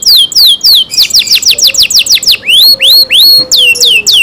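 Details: Canary in loud song: quick falling high notes, a fast rolling run, then slower, drawn-out rising and falling whistles, with a faint low tone underneath.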